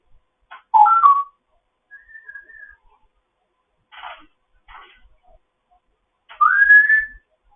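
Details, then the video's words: Foster grey parrot's morning chatter: a sharp two-part whistled note, a soft wavering whistle, scratchy clicking bursts, and finally a loud whistle sliding upward, with quiet pauses between sounds. "having a morning chat"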